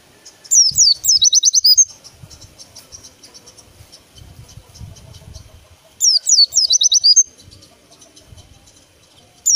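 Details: White-eye singing two short, loud phrases about five seconds apart, each a quick run of high, sweeping, slurred whistled notes, with quiet low background rumbling between them.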